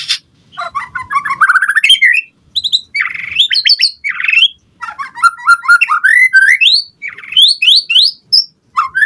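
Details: White-rumped shama in full song, a lure recording meant to provoke other shamas to answer and used as a tutor for birds: rich varied phrases of slurred whistles, rising sweeps and quick chattering notes in rapid, unbroken succession.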